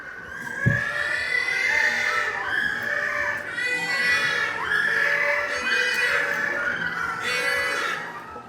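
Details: Little blue penguins at the Cincinnati Zoo, excited and waiting to be fed, call together in loud, harsh, braying bursts, several overlapping and rising in waves every second or two; a faint thump early on.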